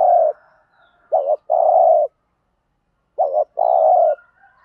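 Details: Spotted dove coo for stimulating decoy doves; a fading coo, then two phrases each of a wobbling short note and a long steady coo roughly two seconds apart.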